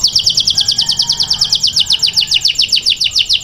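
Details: Grey canary singing indoors in its cage; fast, even trill of high descending chirps, roughly two or three per second in pulses, with faint low room noise beneath.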